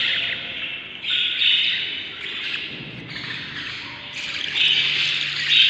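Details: Budgerigar chicks inside the nest during breeding, seven young, day 38: a continuous wash of buzzy, hissing chatter rising and falling in loudness, with no music.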